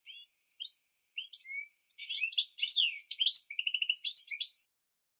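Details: Goldfinch mule training song for canaries and goldfinches, opening with soft scattered whistles and chirps, then building into loud, rapid high twittering with rattling trills and a final thin whistle.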